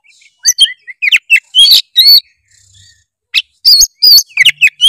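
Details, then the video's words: Oriental magpie-robin singing energetically, used to spur a lazy bird: varied high whistles, downslurred notes and chattering trills, a short pause, then another lively run. "kacer gacor full isian memancing kacer malas bunyi menjadi gacor"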